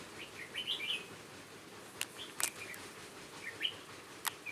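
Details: On 18 November 2017, a trapped Hòa Bình red-whiskered bulbul used as a lure gives quick chirpy warbled notes. Sharp clicks and knocks are scattered between the phrases.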